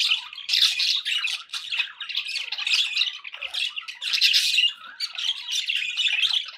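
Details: Budgies kept as pets give a steady stream of harsh squawks and chirpy warbles, busy and high, rising and falling in loudness every second or so.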